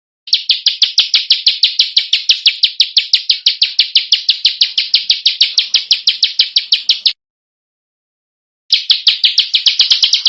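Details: Contest-bird tutoring song from Indonesia with sharp 'shots': a long, even series of fast, piercing, rasping notes, about three per second, runs nearly seven seconds, stops, then resumes.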